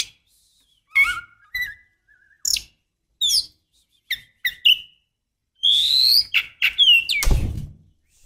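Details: Female white-rumped shama calling to stir a male into song and breeding mood: scattered sharp whistled notes and rising slurs, some with low thumps, separated by short silences.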